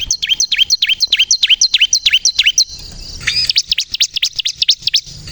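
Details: Bar-winged prinia of the crystal type singing steadily as a lure to trigger rival birds: a fast string of sharp, high, down-slurred chips, roughly three each second, shifting after a short pause into quicker, tighter notes.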